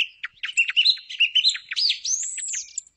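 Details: Thrush song used to attract thrushes for hunting in the morning: clear high whistled notes and short chirps strung together, ending in a rising then falling drawn-out whistle.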